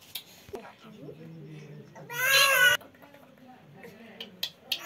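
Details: Young parrot reported to speak Hindi lets out a short, loud, harsh, harmonic burst of about half a second amid quieter low murmuring voices and scattered clicks in the background.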